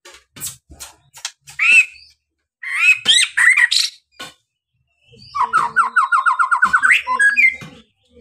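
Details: White-rumped shama (murai batu) song used as a lure to make other birds sing: scattered sharp chirps and buzzy notes, then a fast run of about a dozen rising whistled notes ending in a high trill.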